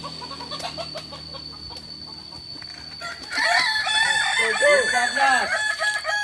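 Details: Native Solok, West Sumatra ornamental breed, Kukuak Balenggek, at a practice contest. Quiet background crowing gives way after three seconds to a loud, tiered crow of many quick arched notes, overlapped by other roosters and a steady whine.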